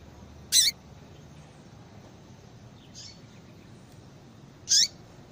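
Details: Female yellow-bellied seedeater (papa-capim) call, played to stimulate a male to sing: two sharp, high, downward-sweeping chips roughly four seconds apart over a faint, steady background hiss.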